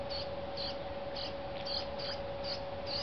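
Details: Juvenile brown-headed cowbird being fed by a dark-eyed junco, giving high, thin begging chips about twice a second, over a steady mechanical hum and background noise.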